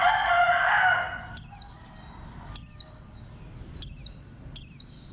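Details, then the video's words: Green white-eye (khuyên xanh) of the compact bantam-like build, bird number 04, gives short high notes that sweep downward, repeated roughly every 1.2 seconds, after a broad, noisy sound at the start. Fainter chirps run behind. "Khuyên xanh dáng gà tre"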